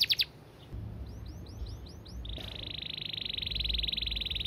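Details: Canary singing in the fast, dense 'gacor speed rapat' style: a few faint sweeping notes, then a long, loud, even buzzing trill held for about two seconds over low background rumble.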